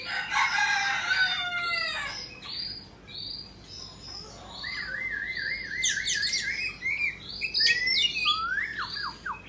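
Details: Singing White-rumped shama of the Indo form, dancing with its tail fanned: a harsh buzzy opening, then a warbling wavering whistle, then a run of falling and rising slurred notes repeated in quick succession.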